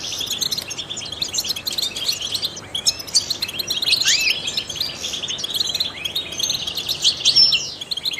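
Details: Trained European goldfinch singing, used to stimulate other songbirds; a dense stream of high chirps, trills and quick rising and falling whistles, sometimes overlapping, with no pauses.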